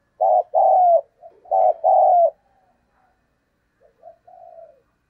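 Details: Spotted dove calling coo, played as a lure to provoke other doves. Two loud, low hooting phrases, each a short note then a longer one, followed about two seconds later by a quieter, fainter phrase. No other sounds.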